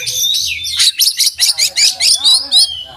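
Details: Oriental magpie-robin delivering mimicry-rich song: a dense buzzy opening gives way to about nine evenly spaced, loud chattering notes, each a harsh downward sweep, over a faint low hum.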